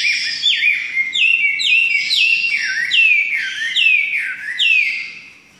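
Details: Chinese hwamei singing a clear sequence of loud, whistled notes, each dipping and then sliding upward, repeated about once a second with slight variation, ending abruptly.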